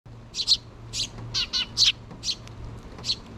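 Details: Two sparrow chicks still in the nest begging their parents for food, June 6, 2023, mother bird nearby: short high chirps in uneven bursts, about seven over three seconds, over a steady low hum.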